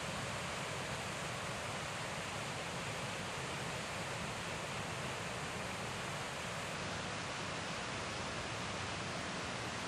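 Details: Loud, steady rushing water like a waterfall fills the whole recording, and no bird song heard.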